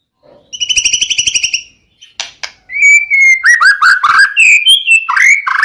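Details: White-rumped shama song played to prompt silent male shamas to sing: a buzzy, rapid rattle about a second long, a few harsh chips, then a flowing stream of rich warbled whistles.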